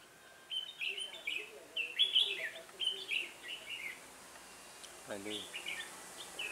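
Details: Red-whiskered bulbul used in trapping with a decoy bird, giving a run of rich, warbling phrases repeated about every half second, with a brief lower call and voices toward the end.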